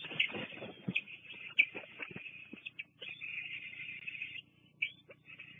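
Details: Bald eagles at a Fraser Point nest on 24 June 2022, picked up by a live nest cam as an adult drops off food for two young old enough to feed themselves. Busy high, thin chittering and squealing calls, some sustained, with short breaks.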